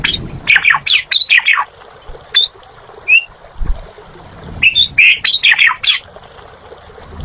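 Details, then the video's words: Gacor-style song of an Asian pied starling: two clusters of rapid squeaky, slurred chirps separated by a quieter gap with a few isolated whistled notes, over a soft low background hum. "Suara Burung Jalak Suren Gacor"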